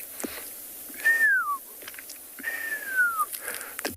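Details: A Pearl-spotted Owlet whistles during the sunrise chorus on 13 July 2021 in knobthorn and marula woodland at a South African reserve: two long, clear whistles, each sliding downward, about a second and a half apart; faint tapping clicks behind.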